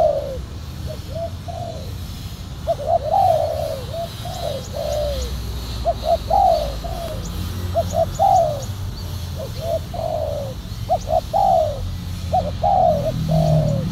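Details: Spotted dove heard while being lured with a silver decoy dove wearing a black collar. Repeated hoarse coos come in short clustered notes and drawn-out falling phrases over constant low-pitched background rumble.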